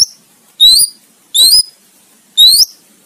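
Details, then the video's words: Greater green leafbird song used as tutor audio for training competition songbirds: three short, bright whistled phrases, each a quick upward-sweeping note with high overtones, spaced about a second apart over a quiet background. "Masteran Cicak Ijo Buat Lomba"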